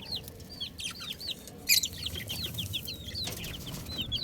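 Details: Baby chicks keep up a busy chorus of high, whistled peeps that bend downward, many voices overlapping. A brief scratchy burst comes near the middle over a steady low background noise.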